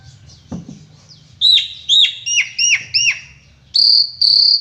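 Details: Jalak suren, Asian pied starling, gives a run of five repeated downward-bending whistled notes in quick succession, then two long high steady whistles.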